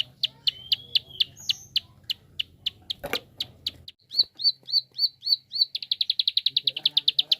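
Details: Prinia fast clicking, used to stimulate other birds to sing: high ticks speed up, interrupted by a loud crackling burst, then short upslurred chips and a very rapid final run of clicks.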